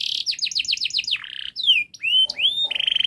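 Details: Canary in full fast song, a training model for young canaries: a quick trill of repeated notes, a short buzzy phrase, pure upslurred whistles, then a rapid high rattle.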